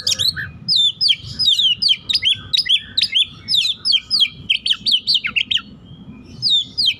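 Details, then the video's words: Oriental magpie-robin of a fiery, aggressive type pouring out mimicked filler songs in a dense outpouring: rapid, varied high whistles, slurs and sharp chips in tight bursts almost without pause, over low rumbling background noise. "KACER TIPE PANAS NEMBAK ISIAN SUARA RAPAT"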